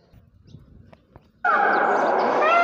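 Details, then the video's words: Peacock described as a Jawa peacock giving a single loud, drawn-out, nasal wailing call that begins abruptly after a quiet stretch of faint background rustles and holds steady to the end. "Amazing Jawa Peacock Sound,Peacock Sound Effect,Peacock Call"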